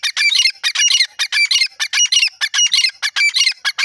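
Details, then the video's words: Francolin (called irani teetar) gives a fast run of harsh, grating, squawky notes, several each second in a rough rhythm, with no other sounds clearly heard. "irani teetar voice call pheasant teeter bird awaz"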